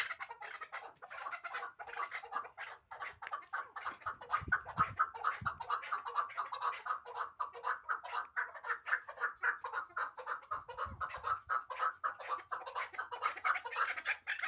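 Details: Hybrid partridge, a young bird from last year, giving a long run of rapid, harsh clucking notes that blur into a continuous chattering series, with a few soft low thumps near the middle.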